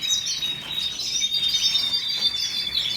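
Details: Canary giving a dense, high, twittering warble with quick rolling notes and a thin sustained whistle, over steady background hiss.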